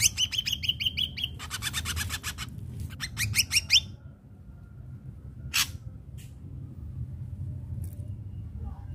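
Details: Ashy drongo song used as a lure to get untrained captive drongos singing: rapid runs of sharp, rising whistled notes, then a fast series of buzzy chips and short downslurred notes, with a low room hum underneath.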